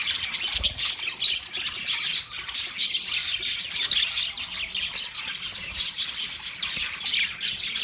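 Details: Yellow male budgerigar chirping, said to be mating sounds; dense, continuous high chatter of squawks and chirps, several birds overlapping with no pause.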